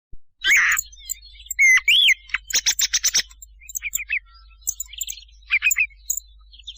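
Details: Thrush sound used at night to lure birds for hunting: sharp high chirps, a rising whistled slur, a fast burst of clicking notes, then scattered short twittering phrases with brief pauses.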